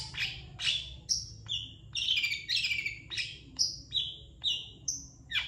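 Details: Master song of a long-tailed shrike for tutoring other birds: alternating high whistled notes and rasping buzzy phrases, repeated roughly twice a second in an uneven, varied pattern.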